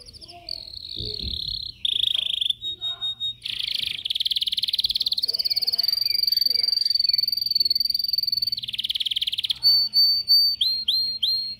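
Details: Caged yellow canary in song training, recorded on a phone: long continuous buzzy rolls and trills, short whistled phrases between them, ending with a few quick upward chirps.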